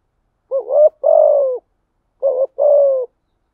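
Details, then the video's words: Two spotted dove phrases about 1.7 seconds apart, from a lure recording covering calling, urging and cooing styles: each is a short wavering rising coo and then a longer hollow note falling gently. "Tiếng Cu Gáy Giọng Hạp BổI ĐỦ BÀI ( GÁY GỌI,THÚC,GÙ )"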